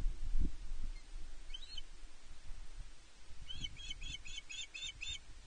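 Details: Osprey female on Loch Arkaig Nest One, 31 May 2023, begging her mate for fish, captured by nest camera: one lone sharp chirp, then a bright rapid run of seven piercing, slurred notes, with light wind noise beneath.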